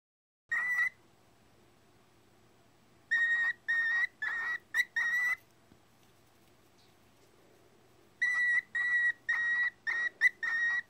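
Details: Pet bird indoors trying to whistle the Imperial March, clear pure whistled notes in short bursts: a single note, a pause, a run of five notes, another pause, then six more notes.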